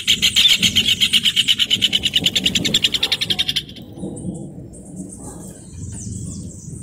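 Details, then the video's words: A rufous hornero pours out a rapid string of ringing, piercing notes that slowly falls off in loudness and stops, leaving faint thin chirps and a low background rumble. "João de Barro Cantando"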